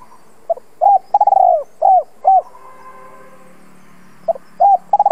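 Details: Spotted dove luring wild doves with a repeated phrase: soft notes, a trilled long falling coo and two rounded coos, a steady droning tone between phrases, then the phrase begins again.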